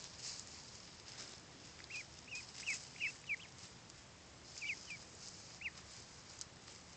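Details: Blue Swedish and Buff ducklings, one week old, taken outside for the first time on an 81-degree day, utter clear high peeps that rise then drop, in irregular runs of two to four notes over soft background hiss.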